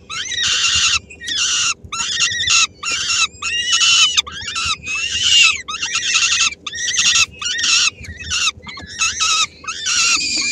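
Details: At the Helmond peregrine falcon nest, May 2016, the female brings a small morsel to her three-week-old young. A rapid run of short grating screams, dozens in ten seconds, choppy and irregular.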